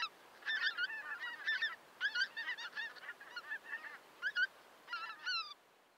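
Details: Lesser white-fronted geese near Pasohlávky, South Moravia, Czech Republic on 29 December 2022 call in a busy chorus of high, squeaky yelps and double-noted honks, overlapping in rapid bursts.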